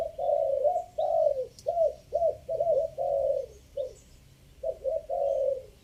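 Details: Spotted dove giving a three-note coo in five-phrase style, used as a decoy sound: mellow, low, hollow coos run in quick clusters of short and drawn-out notes, with brief pauses between phrases and faint background hiss.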